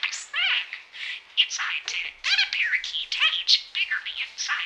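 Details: A talking budgerigar (parakeet) mimics human speech, chattering without pause in a fast, scratchy run of warbles, clicks and high squeaky notes that rise and fall like speech. No other sounds stand out.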